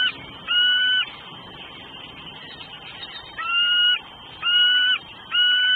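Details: Female bald eagle hollering at a southwest Florida nest on 9 December 2012, around 3:56 PM, on a nest camera before her mate brings food: four clear, thin tonal squeals, each about half a second, spaced irregularly over six seconds.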